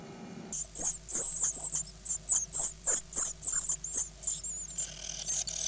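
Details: Great tit nestlings, nine chicks eight days after hatching in May 2010, begging while being fed: a fast chorus of thin, very high squeaky peeps, repeated several times a second in short bursts, with faint rustling below.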